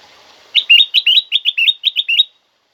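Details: Black-crested bulbul, loud and clear, used to make other caged birds of its kind sing: a rapid run of about ten bright, hooked, slightly rising chirps in under two seconds, ending abruptly in silence.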